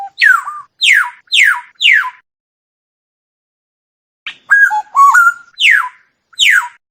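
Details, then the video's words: Black-naped oriole giving four quick downward-slurred notes in a row. After a pause comes a fluted whistled phrase, then two more slurred notes. Clean, quiet background. "tiếng chim vàng anh"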